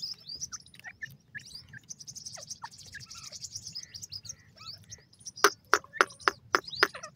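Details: Grey francolin chicks, kept birds, being fed: a steady stream of thin, high peeps, then a run of six or seven sharp, loud clicking taps spaced about a quarter second apart near the end.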